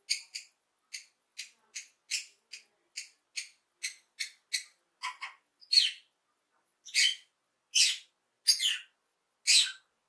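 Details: Happy lovebird chirping: a steady run of quick, thin, high chirps about twice a second, shifting to louder, harsher screechy notes in the second half.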